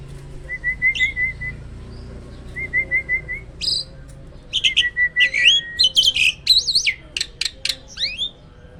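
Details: Caged hybrid myna, bred on a farm, in loud song: rapid trilled whistle runs, pauses, then a busy outburst of sharp chips, buzzy squeals and zigzag whistled phrases.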